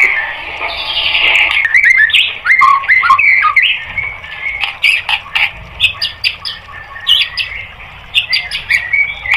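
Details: Song of a white-rumped shama for training caged birds: loud varied warble of slurred whistles at the start, then scattered sharp chips and short notes at irregular intervals.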